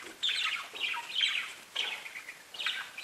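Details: Pet budgies chirping: four short bursts of bright, scratchy warbled chirps separated by brief pauses, in a quiet room.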